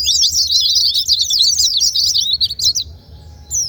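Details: Provoking song of a white-eye for lazy singers: quick, high, scratchy twittering for about three seconds, then trailing off into near silence with a faint thin note.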